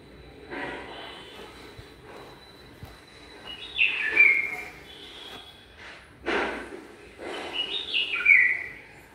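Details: A pair of bulbuls building a nest in a garden, checking each corner of it; a few clear chirping phrases sliding down from high to mid pitch, spaced several seconds apart, over soft background hiss.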